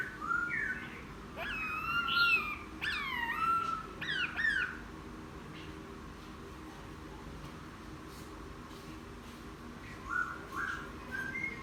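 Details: Newly caught wild laughingthrush after ten days in captivity, singing following a bath: loud clear whistled phrases with sweeping rising and falling notes in the first half, then quieter, a final short whistled burst.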